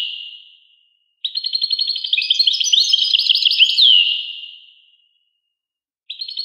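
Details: European goldfinch giving one lively phrase of rapid chattering twitters and bright trilled notes, ending in a downward slur, a fading echo before it and a new phrase starting at the end.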